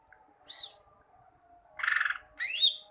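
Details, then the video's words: Greater green leafbird song for training kept birds: a single high whistled note, a short buzzy rattle, then a sweeping rising whistle, with a faint steady low hum beneath. "Masteran cucak ijo, masteran burung cucak ijo agar cucak ijo rajin bunyi"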